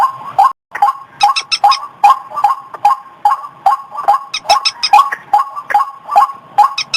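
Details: White-breasted waterhen calling on a lure track for fields, gardens and streams: hoarse croaks repeated rhythmically, a brief silent gap early on, and several groups of rapid, high, sharp clicks.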